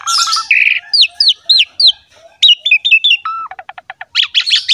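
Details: Javan pied myna singing, recorded to get other mynas singing: low repeated whistles, a buzzy note, a run of sharp descending whistled slurs, a flat whistle, rapid clicks and closing scratchy chatter.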